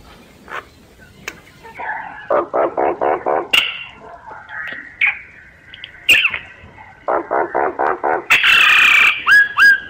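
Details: Lure call of a myna for bird surveying: bursts of harsh, rattling chatter repeated in quick runs, broken by upward-swooping whistles. A loud, buzzy screech and short descending whistles come near the end.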